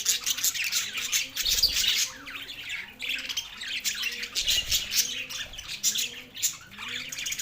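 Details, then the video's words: Two male budgies chirp and twitter continuously, bright high squeaks and raspy trills layered over faint repeated lower curved tones and occasional soft thuds. "cute pet 2 Male Budgies parrot chirping sounds"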